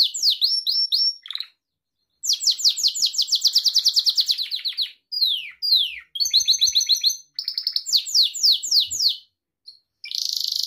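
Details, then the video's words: Gloster canary, a pet bird, singing a training song: rapid high trills of repeated downslurred notes in fast tours, with short pauses, buzzy rolls and clipped chips, all in a quiet background. "Gloster Kanarya Ötüşü Canary Singing"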